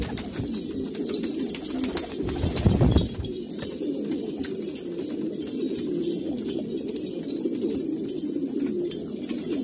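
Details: Several traditional Kabul pigeons in Afghanistan give a steady murmur of deep, bubbling coos, joined by a brief louder rustle or flutter near the middle.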